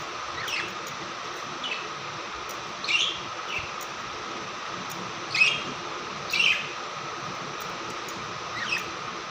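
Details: A happy blue budgerigar gives short, scratchy chirps and warbles at irregular intervals over a steady background hiss.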